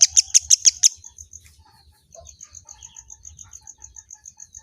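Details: Kemade bird, described as replying to any other bird, giving five loud, sharp chip notes, then a long softer string of rapid, thin, even pips repeated several times a second.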